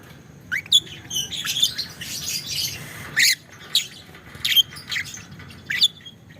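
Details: Lovebird singing a 'ngekek panjang' long chatter. Rising shrill squeaks and raspy chirps come in bursts, some run together into a brief continuous trill, over low background hum.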